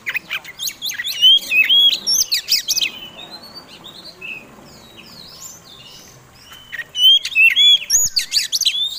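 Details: Oriental magpie-robin singing a fighting song to provoke other birds: loud ringing whistles and scratchy chirps in quick runs, a soft lull mid-way, then bright sweeping whistled phrases return.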